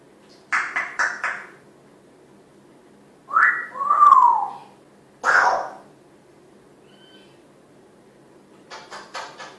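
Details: Pet female African grey parrot, described as talkative and chatty, vocalising indoors: bursts of clicky, buzzy notes, then a gliding whistle and a harsh squawk, with softer rapid clicks near the end and quiet pauses between.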